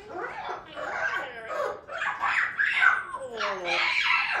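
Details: Young African grey parrot kept as a pet, practicing words and pronunciations in the afternoon; warbling, speech-like chatter with gliding tones and raspy bursts, a Yellow-naped Amazon also chatty in the background.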